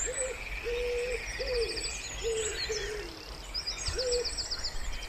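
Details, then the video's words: A wood pigeon by a pond in spring gives soft, low cooing notes repeated in a steady rhythm, with thin high chirps and trills from other birds behind. "Wood Pigeon Sounds"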